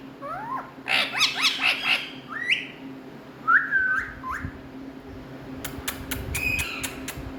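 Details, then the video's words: Indian ringneck parrots, kept as talking pets, give a rapid cluster of bright chattering notes, then separate level and rising whistles with gaps between them. Sharp clicks follow near the end over a low indoor hum. "My Best🥀Talking Running🍃Indian Parrots♥️🌸"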